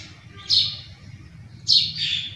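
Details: Quail calling at morning time: two short, sharp high notes about a second apart, each sliding slightly downward, over a faint low rumble of background noise.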